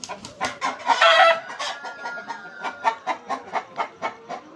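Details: Super hybrid hens laying eggs on a poultry farm give a brief harsh burst, then a steady run of short, sharp clucks at roughly two to three per second.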